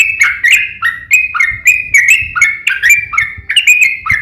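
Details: Yellow-vented bulbul in fighting song, used to provoke other bulbuls to sing: a rapid chain of bright, slurred whistled notes, each dipping then rising, repeated about every quarter second without pause.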